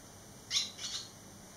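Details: Young barn swallows, 11 days out of the nest with three chicks come back, utter two quick high chirps in succession, thin and bright, over faint steady hum.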